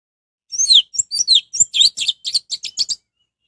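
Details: Continuous rapid song of an orange-headed thrush, used to stir rival anis merah into singing: about three seconds of varied high chirps, slurred whistles and buzzy notes in quick succession.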